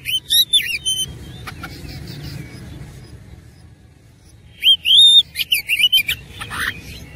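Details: Oriental magpie-robin in fighting mood singing a rich, insistent song with imitated phrases, in two bursts of sharp slurred whistles and rising-falling notes, separated by a quiet stretch of several seconds with faint low background hum.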